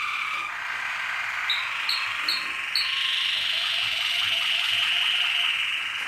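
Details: Malinois Waterslager canary song: a sustained, rolling tonal stream with bubbling trills beneath, broken early by a few short, bright high notes repeated about every half second.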